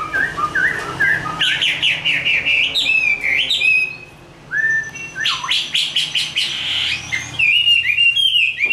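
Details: Hand-raised, fully tame Chinese hwamei in fighting song, with mellow low whistles climbing to higher warbled phrases, a short pause, then loud swooping whistles and rapid varied notes.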